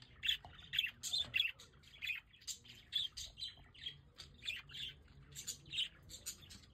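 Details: Budgerigars kept on a balcony in The Hague during fine weather chirp steadily, sharp squeaky notes and chattering warble repeating several times a second, loud and clear over faint low hum.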